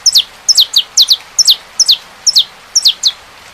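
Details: Saffron finch singing amid rain noise: loud, ringing high chips falling in pitch, often doubled, about a dozen in quick, slightly uneven succession.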